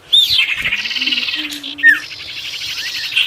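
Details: Short burst of sirtu song for luring wild birds: a sharp high note, then a continuous buzzy trill with a brief down-slurred whistle in the middle.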